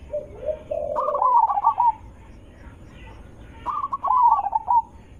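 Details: Zebra dove calling to prompt replies from others of its kind: a low soft coo leading into a higher rolling trilled phrase, repeated twice, against a low background rumble.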